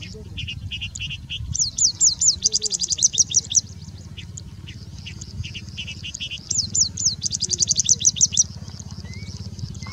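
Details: Singing bush lark in India pours out high, rapid phrases of sweeping chirps and dry rattles in two bursts, mimicking birds such as Indian Robin, Pied Bushchat, Plain Prinia and Common Woodshrike; a low hum underneath.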